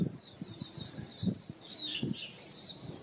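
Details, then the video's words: Yellow-rumped flycatcher in Bogor. A high, rapid warbling of twittering, sliding notes runs almost without pause, over low soft thumps. "Burung Yellow Rumped Flycatcher"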